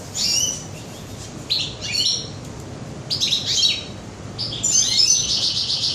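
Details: European goldfinch singing inside a bird shop on 21 June 2015: bursts of high, tinkling, twittering notes come in short phrases separated by brief pauses. The longest phrase comes at the end, over a low background hum.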